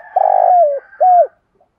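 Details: Decoy spotted dove calling to attract wild doves: one long, slightly vibrating low coo that slides downward, then a shorter clear coo ending in a drop.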